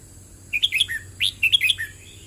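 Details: Red-whiskered bulbul, a wild bird, in a 'teacher' song. Lively whistled phrases are delivered twice in quick succession, each a rising swoop and chirpy notes ending on a lower slurred whistle.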